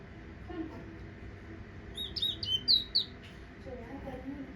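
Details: Towa towa finch from Guyana giving a brief burst of sharp, high, slurred whistles lasting about a second, set against a steady low background hum with faint murmuring before and after.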